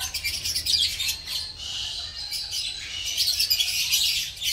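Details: Green masked lovebirds in a breeding colony, pairing and nest making, keep up a steady, noisy wash of shrill, grating chirps and squawks from many birds without pause.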